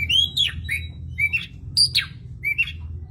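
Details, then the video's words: A White-rumped shama gives short, high whistled and slurred notes in quick bursts, each phrase about half a second apart, over a low steady background hum. "murai batu"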